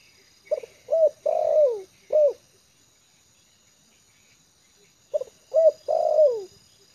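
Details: A trained decoy spotted dove, at ease on yard ground, gives two soft cooing phrases a few seconds apart. Each phrase moves from a short note and a hooked coo into a long descending croo, and the second phrase is cut off near the end.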